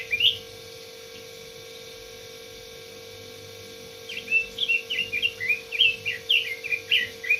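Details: Red-billed leiothrix (robin) giving one sharp note, then after a pause a fast, lively string of rich, warbled whistles at about one per second, over a constant mains hum.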